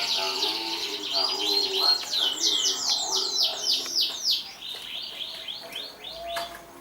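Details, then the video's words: 2014 champion canary: a swift rolling trill giving way to a series of loud, evenly spaced down-slurred whistles, then fading high chatter. "kicau burung kenari juara 2014"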